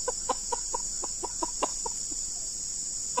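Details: Red junglefowl meeting a decoy male used for luring, giving a rapid series of short clipped clucks, about a dozen in three seconds, irregularly spaced, over a continuous high insect drone.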